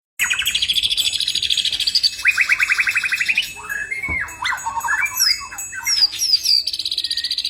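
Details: Caged white-rumped shama singing: fast rattling trills of rapid repeated notes, then swooping whistles and varied chattering phrases, ending in another buzzy rapid trill, loud and continuous.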